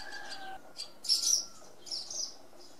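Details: Barn swallow giving bursts of high, scratchy chirps and twitters, loudest around the middle, with a steady low whistling tone in the background early on.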